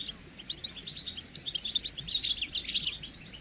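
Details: A group of European goldfinches chattering, recorded to excite males into singing and mating; dense, high twittering notes run almost continuously and build louder and busier toward the end.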